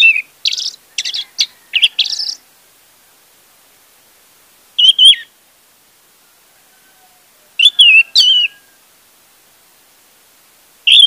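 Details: Song of an orange-headed thrush, played as a lure to get a silent bird singing: a dense opening flurry of chirpy notes, then short warbled phrases about every three seconds, clean and without background noise.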